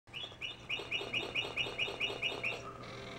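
A cardinal gives a quick run of about ten bright, down-slurred whistled chirps, four or five a second, over a faint low hum.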